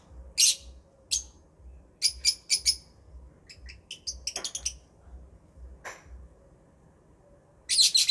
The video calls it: Love Birds Chirping Sounds